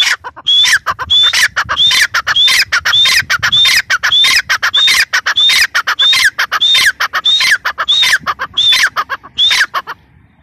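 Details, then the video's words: Insistent series from a female grey francolin, the teetar: about fifteen sharp phrases, each a bright rising whistle followed by rasping falling notes, delivered steadily until the sequence stops abruptly near the end. "gray francolin teetar sound | female teetar awaz"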